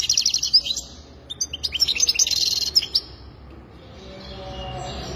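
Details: Goldfinch twittering for about three seconds, rapid high chips and buzzy trills, then fading into a quiet hiss.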